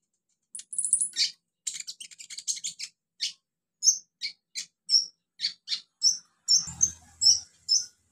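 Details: Olive-backed sunbird singing in the wild: a rapid cluster of thin, very high twittering notes, then single sharp chirps repeated roughly twice per second, ending with a brief low rumble.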